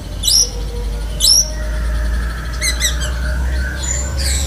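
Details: Oriental magpie-robin of the black-breasted form singing lovebird-style mimicry: two sharp rising high notes, then a faint mid-pitched whine and soft rapid high chirps, over a loud low hum.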